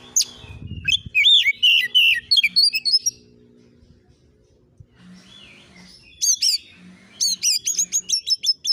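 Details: Oriental magpie-robin song played to provoke answering birds: varied fast whistles and sweeping notes, a quiet gap with a soft low hum, then bright rising whistles repeated in a quick regular run.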